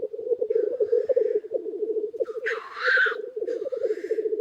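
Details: Early-spring lek of numerous black grouse cocks close to a hide: steady low gurgling bubbling throughout, overlaid by a loud hoarse hissing sneeze midway and fainter hisses before and after.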